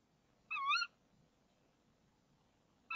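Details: Female tawny owl calling at a nest box at 05:28 on 26 March 2014, just before the male brings her a frog. One harsh, wavering, rich-toned call rises and dips, and the next call begins at the end. Faint background hiss.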